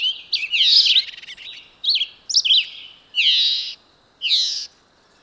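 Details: Red-eyed vireo song in which slurred, rising and falling notes run into harsher buzzy phrases, given in short bursts with gaps between them, loud and clear over a quiet backdrop.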